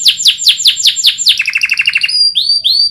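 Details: Canary master song for training other birds: loud downward-sweeping notes repeated rapidly, a quick rattling trill, then clear rising whistled slurs.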